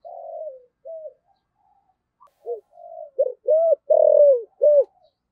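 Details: Spotted dove used as a decoy, 'Thổ' voice, cooing with two ending notes. Faint, drawn low notes open the clip, then a louder phrase of short rounded coos and one long falling note.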